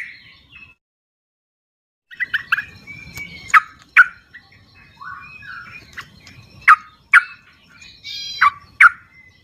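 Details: Sooty-headed bulbuls calling in the wild, a recording meant to coax quiet birds into song. After a pause, scattered bright chips and short slurred notes come at irregular intervals, with light rustling underneath.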